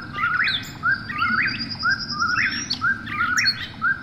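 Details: Night-time Eastern whip-poor-will repeating its rhythmic whistled phrase roughly every second, low steady start climbing to a quick rising finish, a thin high tone drifting in behind.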